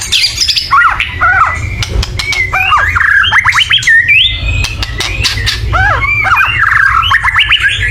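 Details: Agitated loud chattering of a white-rumped shama, used to provoke other birds into singing: sliding whistled notes and quick upslurs in varied bursts, over a steady low hum.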